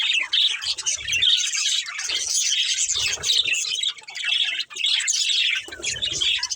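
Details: Budgies in a family flock chirping while playing: loud, continuous warbled chatter of squeaky chirps and rasping notes, broken by a couple of brief dips, with soft low bumps now and then.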